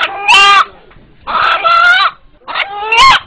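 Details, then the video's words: Rooster about eight months old, prompted to call while onlookers listen; its cry is said to sound like "Allah". Three harsh, strained calls, each under a second, with gaps between them. "উপস্থিত যারা এই মোরগের ডাক শুনলেন এখন তাদের সাথে একটু কথা বলি"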